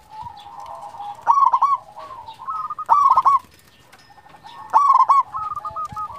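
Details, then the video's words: Local zebra dove singing, used to lure and stir quiet doves: three loud, rasping, stepped cooing phrases roughly every one and a half seconds, with quieter staccato coos from other doves between them. "Perkutut lokal gacor Mental juara sekali bunyi langsung bikin ribut"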